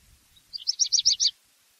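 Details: Brief black redstart phrase of five or six quick high paired notes, evenly spaced, over faint low background hiss.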